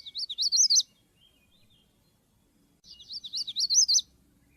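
A Magnolia warbler sings two short, high, sweet phrases of quick slurred notes about three seconds apart, each rising slightly at the end, with quiet background.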